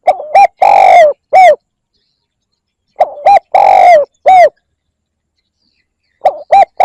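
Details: Spotted dove calling to lure birds: three identical phrases, each two quick coos, a long falling coo and a short coo, spaced roughly three seconds apart.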